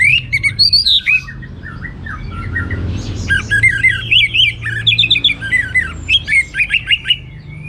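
An orange-headed thrush sings a rich, rambling song of quick whistles, slurred squeaks and harsher notes, phrases tumbling together with barely a pause over a faint low hum.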